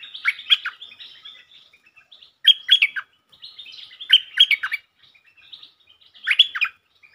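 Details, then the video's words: A provoked territorial Stripe-throated bulbul delivers short, loud, chirpy phrases of quick descending notes, repeated about every one and a half seconds, between quieter twittering. "เสียงนกดอกแตงEp.149 เจ้าถิ่นยั่วดี สับริกล้วนๆ Suara pikat merbah lekir"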